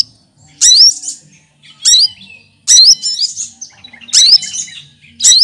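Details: Leafbird called cucak kinoy, which copies other birds' songs, giving loud phrases of rapid rising whistles and chattering notes, four bursts spaced by short pauses, faint low hum in the background.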